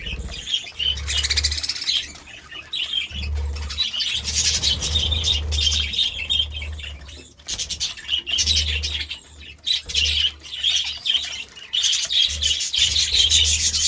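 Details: Morning budgerigar chatter: long stretches of rapid, harsh high chirping and squawky warbling, broken by brief lulls, over a persistent low hum.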